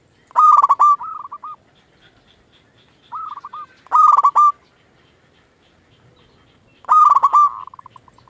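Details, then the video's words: Local zebra dove used to rouse and lure other zebra doves into song: three to four stuttering cooing phrases at uneven intervals, the last trailing into a string of fading coos, with faint high ticking between. "Perkutut lokal gacor RAJA PIKAT ahlinya bikin semua burung perkutut gacor pada nyaut"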